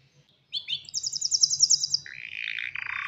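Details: Male canary ready to mate, singing to call a female and stir her to breed and nest: after half a second of quiet, a fast high trill of bright repeated notes, then a lower buzzy rolling phrase to the end.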